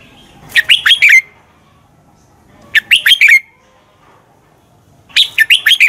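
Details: A red-whiskered bulbul's fighting song, used as decoy bird sound for singing practice; three brisk phrases of jumpy, whistled notes ending on a lower slurred tone, with quiet pauses between.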